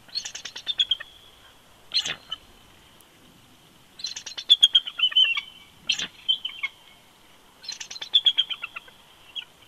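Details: Bald eagle pair duetting at their nest on an old snag at Big Bear Lake, California, in winter, 22 February 2020, on a live nest camera: three bursts of high, thin chittering notes tumbling downward, about every four seconds, with single sharp chips between.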